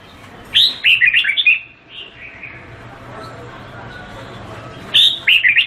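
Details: Vietnamese-type red-whiskered bulbul delivers a fast warbled phrase of bright whistles with softer trailing notes. After a few quiet seconds it begins the same phrase again.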